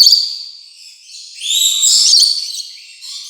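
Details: Rainbow lorikeet calls: a thin screech fades, then a louder rising, rasping squeal swells in the middle before dropping back to quieter chatter.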